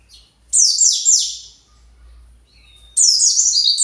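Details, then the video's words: Agitated captive white-eye looking for its colony: two bursts of quick, high, down-slurred chirps, with a brief faint thin whistle in the gap between them. "PLECI pasti emosi"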